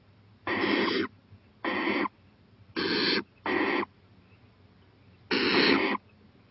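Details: Owl at night, 11:26 pm on 23 April 2018, on a porch looking toward a playground. It gives harsh, breathy hisses about half a second long, two close together in the middle, over a faint low hum.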